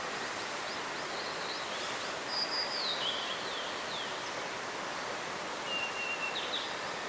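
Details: Song of a blue-and-white flycatcher by a mountain stream in Nara, Japan, 26 April 2019: faint, high whistled phrases of sliding and level notes, a longer phrase then a shorter one, under strong rushing water.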